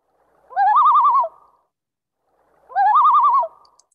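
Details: Common loon on a New Hampshire breeding lake giving two wavering, laugh-like tremolo calls, each about three-quarters of a second of rapid quavering notes, a second and a half apart; the tremolo is an alarm call at perceived threats.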